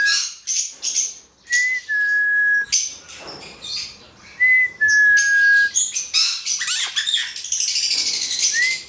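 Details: Hand-reared male black-headed caique alternating harsh high screeches with clear, level mid-pitched whistles, some drawn out for about a second, then ending in a dense burst of grating calls.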